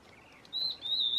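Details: Stripe-backed antbird (piu-piu, tem-farinha-aí) gives a pair of bright, high whistles in quick succession, the second rising slightly at its end, over a quiet background.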